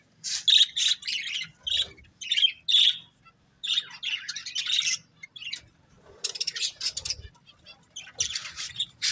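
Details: Breeding pair of budgerigars chirping: bursts of high, scratchy chirps and short whistled notes, clustered in quick runs with brief pauses between them, about thirty bursts a minute, over a quiet background.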